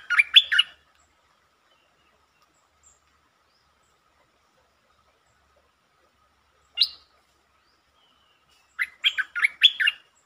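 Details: Streak-eared bulbul, recorded 13 February 2023, sings a short bubbling phrase, falls silent, gives a single sharp note, then repeats a longer run of five or six liquid warbles.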